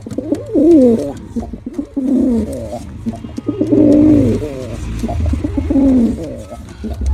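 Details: Performing male pigeon cooing in four deep, rolling bouts spaced roughly every two seconds, each a throaty, warbling phrase that dips and swells, with quiet gaps between.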